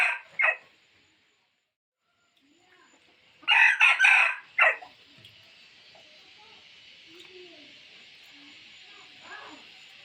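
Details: Lure crow of a rooster meant to bring fowl in from the forest: a short harsh note, a quiet pause, then a loud raspy three-part crow with a clipped ending, followed by steady hiss.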